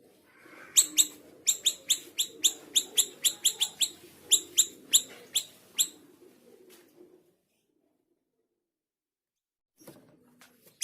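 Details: Scarlet minivet in lively song, kept as a training recording for songbirds: a rapid run of sharp, bright, high chip notes, about three a second, fading after six seconds into silence before a lone note returns.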